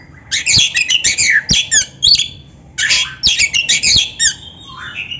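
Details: Magpie-robin song played to train and stimulate other birds: rich, fast phrases of high chattering and whistled notes, with scratchy elements and a falling slurred whistle near the end, over a low background hum.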